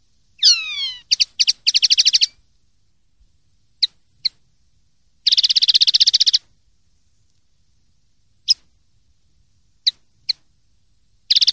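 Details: Clean song of a common linnet kept for Spanish silvestrismo: a falling whistle opens into clipped chirps and short trills, then a dense, fast trill, with scattered single sharp notes repeated through pauses.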